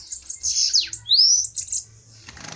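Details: Brief duel song of a bananaquit: a shrill buzzy trill with a descending slur, then a bright rising sweep, ending in a soft rustle.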